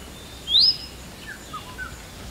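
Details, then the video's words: Single loud upward-sweeping whistle from an Indian robin, followed by a couple of faint short notes against soft background noise. "Indian Robin Calling"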